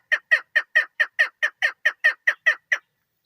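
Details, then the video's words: Female chukar partridge, a bird used in hunting, giving a fast run of harsh clucking notes, about a dozen evenly spaced bursts in under three seconds, then silence. "female & full shikari madi awaz sound keklik sesi"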